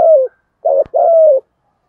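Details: Spotted dove decoy bird in giọng thổ voice: the tail of one falling coo, then a short double note and a long, smooth hoot sliding slightly downward, with a single click in between.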